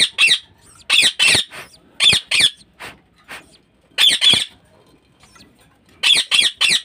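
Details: Caged budgerigars in a home breeding setup give harsh, raspy squawks in quick clusters of two to four, with short pauses between the bursts.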